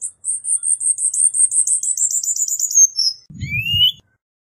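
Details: A Cuban bullfinch delivers a steady series of rapid, very high pulsed notes that slowly descend, then one rising whistle, with a brief low rumble underneath.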